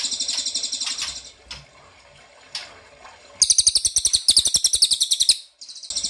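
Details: Ashy tailorbird lure sound used so birds will answer: a quieter high trill fades into softer ticks, then two loud bursts of rapid high rattling pulses.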